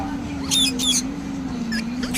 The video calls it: parrot sound